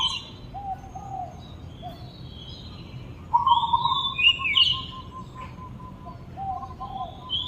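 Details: Oriental magpie-robin song of bright whistles rising and falling, with a long buzzy trilled note and scattered short chirps, set against constant low rumbling background noise.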